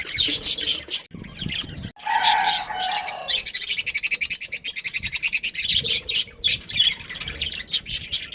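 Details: A breeding pair of budgerigars chattering: high scratchy warbles, then a long run of fast, evenly pulsed ticking chirps, with a lower mellow note mixed in briefly.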